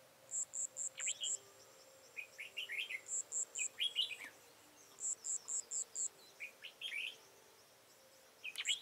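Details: Red-whiskered bulbul kept as a trapping decoy, 13 October 2018: repeated short bursts of quick, chattering whistled notes, interleaved with trains of very high, pulsed insect-like chirps.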